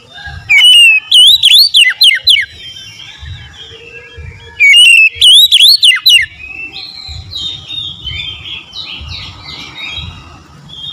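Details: Oriental magpie-robin song: two loud bursts of rapid rising-and-falling whistled notes a few seconds apart, followed by softer warbled twittering, with low thumping in the background.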